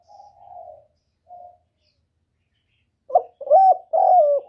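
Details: Spotted dove calling as a trapping lure: soft, low cooing notes, a faint coo and a short one, then loud, throaty, rolling coos in quick succession near the end.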